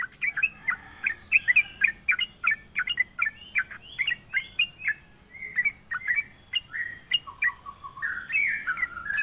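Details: Sooty-headed bulbul, called trucukan, in energetic provoking song: rapid chattering chirps in quick succession, turning to lower warbled notes and a brief sliding phrase near the end, over a constant high whine.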